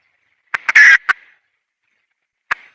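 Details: Wild red junglefowl hen calling: a few short, sharp clucks lead into a loud, harsh, raspy note, then one more isolated cluck after a pause. The background is otherwise quiet.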